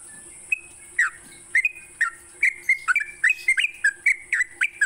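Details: Sooty-headed bulbul, morning song meant for training songbirds; a few spaced whistles open, then notes quicken into a lively series of bubbly, down-slurred phrases.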